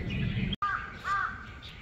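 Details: A crow visiting a garden with other birds such as sparrows and bulbuls gives two short, hoarse caws about half a second apart over a low background rumble.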